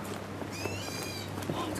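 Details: A black bulbul on Neidong Forest Road, Wulai, near Taipei, Taiwan, gives a single drawn-out, cat-like mew, thin and slightly nasal, under a second, over a low forest hum, before flying away.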